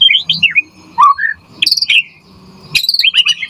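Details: Murai batu (white-rumped shama) in a short burst of varied song used as a lure for other shamas and as a tutor recording: mixed whistles and squeaky notes separated by pauses, over a faint low rumble.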